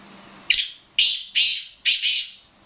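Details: Black francolin, locally kala teetar, utters a rhythmic series of four coarse, grating notes, evenly spaced, the closing note broken into two rasps, with a faint hum beforehand.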